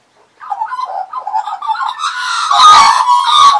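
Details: Australian magpies serenading a person they regularly visited in 2015, perched on arm and knee: a soft low warble quickly rising into a loud, dense, harsh carol with ringing whistled notes.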